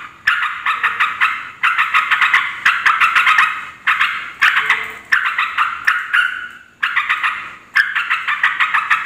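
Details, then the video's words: Noisy yellow-vented bulbul calling, meant to draw other bulbuls into angry replies; repeated groups of fast, grating, rattled notes, each burst attacking sharply then tapering, nearly continuous. "Suara trucuk ribut pikat trucukan lain langsung emosi"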